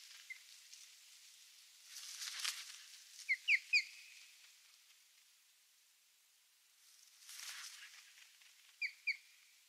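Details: At a Finnish nest where a northern goshawk killed the chicks, a parent osprey attacking the goshawk gives warning calls: three sharp, high whistled notes, then two more a few seconds later, between bursts of rushing wind.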